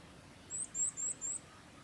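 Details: Varied tit contact calls on the Mizusawa forest road, Tanzawa, Japan, 14 October 2021: four thin, very high, slightly rising tsee notes in quick succession, about four per second, against a quiet background.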